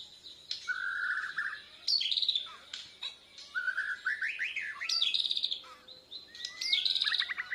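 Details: Borneo white-rumped shama practising song while replying to a lure recording, chest feathers spread: fast rattling trills, upward-sliding whistles and bright chattered bursts, with brief gaps between phrases.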